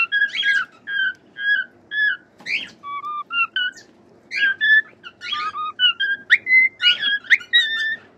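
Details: Singing cockatiel with lively phrases of whistles, some rising and some falling, mixed with raspy chirps, in a fairly steady rhythm of bursts about every half second.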